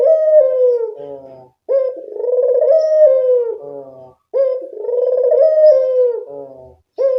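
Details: Barbary dove lure call to attract birds: three loud, rolling coos, each ending in a quieter, lower stepped tail before the next begins.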